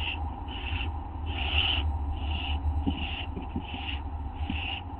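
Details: Owl at night on 19 August 2011, 11:07 PM, devouring a treat while another owl stays outside; seven rasping, high bursts roughly every 0.6 seconds, mixed with faint clicks and scratching, over a low hum.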